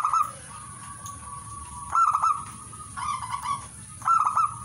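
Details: Song of a zebra dove: short, throaty, trilled coo phrases roughly once a second, each with a stuttering start, over a constant faint high-pitched hum.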